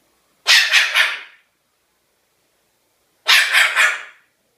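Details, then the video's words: Pet cockatoo imitating a dog's bark: two harsh, raspy bursts about three seconds apart, each made of three or four quick rough yaps run together, in otherwise silent surroundings. "Cockatoo Amber, the barking bird"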